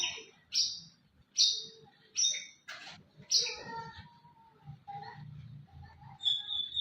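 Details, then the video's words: Champion white-rumped shama delivering a series of sharp high whistled bursts about once a second, followed by lower warbling and a clear sustained whistle at the end, with faint low background noise. "murai batu juara"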